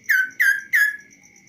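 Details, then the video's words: Kaso-kaso bird, tame and perched on a hand with no cage, gives three loud, clear, downward-sliding whistled notes about a third of a second apart, then falls silent over a faint steady hum. "BURUNG KASO KASO GACOR DI TANGAN TANPA SANGKAR"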